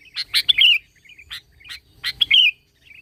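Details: Sooty-headed bulbul, an active singer in an original recording used as a lure to provoke other bulbuls into singing: short bright chirps followed by a quick warbled whistled phrase, repeated twice within three seconds.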